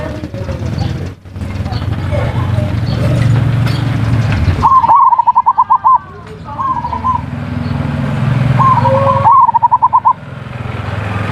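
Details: Zebra dove ngerot and kuwor singing, a lure to spark breeding desire and coax lazy birds to sing: a loud rumbling noise gives way to two bubbling coo trills with rising starts, a short cooing fragment between them.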